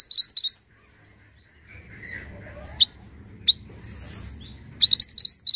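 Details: Black-headed pied bushchat singing: short bursts of bright, rapid, high chirped and slurred notes open and close the phrase, separated by a quiet stretch with low background rumble and a few isolated sharp ticks.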